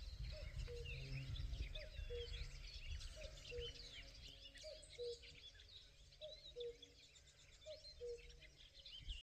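A common cuckoo gives its low, falling two-note "cu-coo" about every one and a half seconds. A busy chorus of high chirping birds and a low rumble sit behind it.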